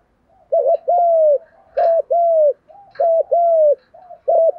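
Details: Spotted doves, a male and a female, cooing to stir training birds: steady loud low phrases, each a short doubled coo followed by a drawn-out sliding coo, repeated about every 1.2 seconds, with soft ticks between phrases.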